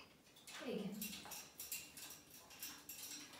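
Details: A talking grey parrot indoors says a short human phrase, "kimegyek a teraszra" ("I'm going out to the terrace"), in a low, voiced tone, followed by scattered clicks and tapping.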